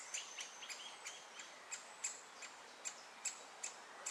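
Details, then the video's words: Great spotted woodpecker chick being fed by both parents at Moat Farm: sharp, dry ticking notes repeated irregularly, roughly every third of a second, with faint birdsong in the background. "Woodpeckers (G.Spotted) Mum & Dad Feeding 1 at Moat Farm"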